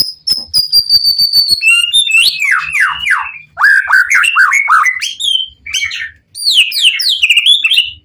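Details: Caged white-rumped shama, the PTRK BF bird, singing in full emotion to provoke other shamas into answering: a long high whistled note, then rapid sliding, buzzy phrases and dense descending trills, varied and loud, with brief pauses.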